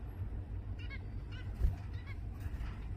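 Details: Zebra finches in Singapore, November 2024: short nasal, harmonic beeping calls given in quick pairs and singles through the clip, over a steady low rumble of background noise.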